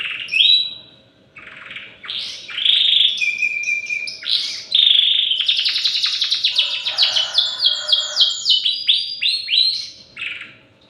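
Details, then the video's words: Young canary, three months old, practising its song: varied high whistled notes and buzzy phrases lead into a long rapid trill of repeated descending sweeps, then fading chirps at the end. "Cenary usia 3 bulan belajar nyayi"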